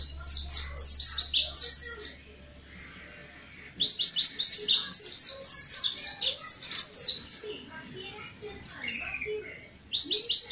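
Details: Mountain white-eye, forest type, singing to lure others: dense bursts of rapid high chirps falling in pitch, a gap of near silence around two to four seconds, then a longer chattering run and a final burst.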